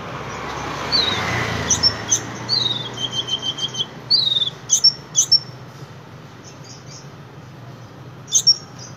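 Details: Sunbird in lively song: thin, very high chirps and short descending twittering trills in irregular bursts, with quieter high notes between them over a soft low background hum.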